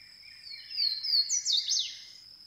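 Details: Swainson's warbler singing: a few descending slurred whistles build into loud, ringing, sharply swept notes over about a second, set against a steady high-pitched insect drone.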